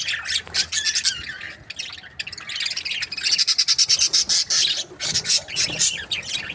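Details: Breeding pairs of budgerigars chatter busily, with high scratchy warbles followed by a fast run of evenly pulsed chirps, then more mixed chirping from several birds.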